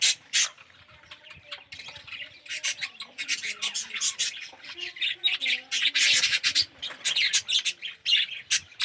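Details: Budgerigars in an aviary colony, red-eyed and yellow birds among them; a constant tangle of scratchy squawks and quick chirps from many birds, swelling into thick bursts midway with faint low murmurs underneath.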